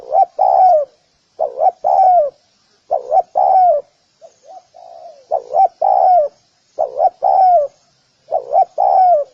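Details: Spotted dove luring calls: paired short coos leading into a longer descending coo, repeated steadily, with a quieter low cooing phrase in a pause.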